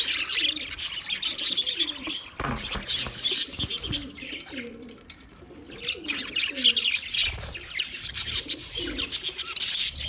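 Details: Budgies chirping: dense, high warbling chatter with rapid squeaks and trills throughout, briefly dipping near four seconds, while soft low cooing notes from another bird run underneath.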